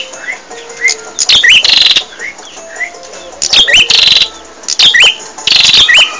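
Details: Bar-winged prinia song from a training recording for caged songbirds: loud, harsh buzzy bursts repeated in clusters about every one to two seconds, with faint thin whistled notes from another bird between them.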